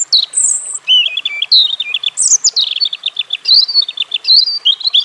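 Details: A European robin (Erithacus rubecula) sings a high, thin, varied medley with a short whistled note, twittering bursts and several quick repeated trills. The phrases run almost without pause.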